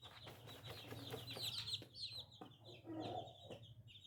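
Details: A group of young chicks calls nonstop, shrill peeps sliding downward and overlapping, some louder and more piercing bursts in the middle, with low hum and clicks underneath.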